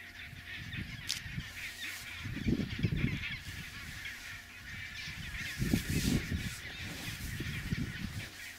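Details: Chinstrap penguins on a packed-snow highway linking the sea to their nesting colony; two bursts of coarse, throaty braying calls, each lasting about a second, over constant colony chatter and low background rumble.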